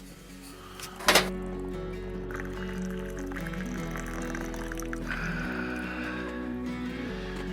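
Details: Steady background music with a sharp thump near the start and no animal calls.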